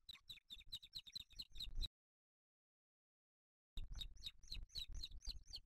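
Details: At a booted eagle nest with chicks in Spain on 8 July 2023, while the male brings a small bird: rapid high chirping notes in quick series, a gap of silence, then the chirping series resumes.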